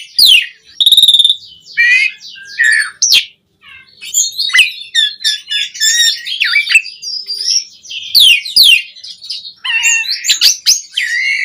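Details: Asian pied starling singing a rich, rambling phrase meant as bait to rouse other caged starlings; bright whistled notes mix with buzzy trills and harsh chatter, broken by a short silent gap midway.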